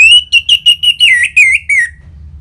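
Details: Ngeplong-style song of an orange-headed thrush, played to stimulate caged birds into answering, delivered as a quick run of about eight ringing whistles, the later ones wavering and dropping in pitch.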